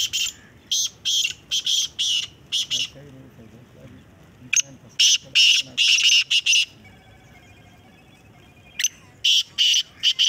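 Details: Black francolin calling competition with repeated harsh scratchy note series, several rasping phrases in a row, a pause with a soft steady tonal hum, then more grating bursts near the end.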